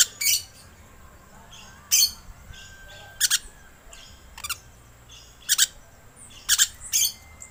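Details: Green lorikeet lure recording: harsh, screechy broadband bursts, often doubled, given about once a second with short silent gaps and a faint steady background hiss.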